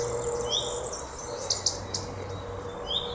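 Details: Common redstart (Phoenicurus phoenicurus), call.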